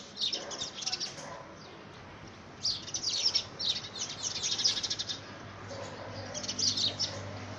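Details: Rival house sparrows quarrel over possession of a homemade nest box in the first week of February 2017. Bursts of rapid, overlapping chirps come in three clusters separated by quieter gaps.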